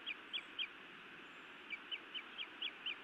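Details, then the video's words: Female osprey scolding her mate at a Montana nest on a May 2017 evening, before biting him: nine short, sharp, high chirps in quick rapid bursts over a steady background hiss. "Feisty Iris scolds then bites Louis a time or two"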